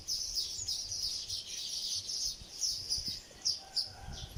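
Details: Sparrows at work on a nest of palm leaves, giving a dense run of high, thin chirps and twitters that overlap almost without pause, then shorter sharp notes near the end, over faint low rustling.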